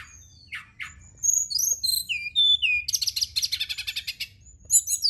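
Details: Brown-chested jungle flycatcher song used as a night lure for singing: chirps, a descending run of slurred whistles, then a dense rapid buzzy trill lasting over a second.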